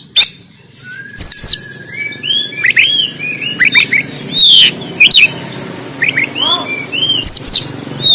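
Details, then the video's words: Oriental magpie-robin singing its 'konslet tarung' fighting song in Banten, phone-recorded: rapid varied whistles, slurred chips and sharp clicks in a busy, continuous stream over background hiss. "KACER KONSLET TARUNG"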